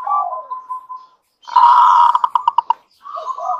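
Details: Local zebra dove in energetic song meant to set other doves singing: a gentle fluttering coo, a pause, then a loud buzzy run speeding into about eight sharp separate pulses, then soft cooing again.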